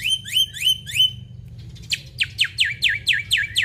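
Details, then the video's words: Black-winged myna (jalak putih) singing energetically with mimicked 'isian' fill-in: three sharp rising whistles, a brief pause, then a fast series of clear downslurred whistled notes, about four per second, over a low background hum. "Jalak Putih Gacor Full Isian"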